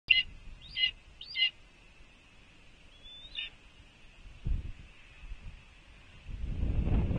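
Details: Red-tailed hawks at a nest at Cornell, 06.05.2021, 14:32: three sharp high notes, then a thin drawn-out whistle, followed by bursts of low wind rumble.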